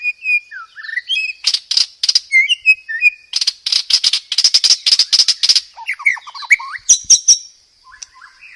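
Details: Long, varied white-rumped shama training song for cage birds: whistled slurs, then a rapid series of harsh crackling bursts, followed by looping upslurred whistles and softer low notes, over a steady thin high-pitched tone.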